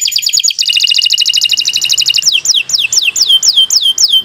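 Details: Canary singing long phrases as a master recording for beginner birds: a rapid rolling trill of bright repeated notes for two seconds, followed by a run of loud descending whistled slurs about every quarter second.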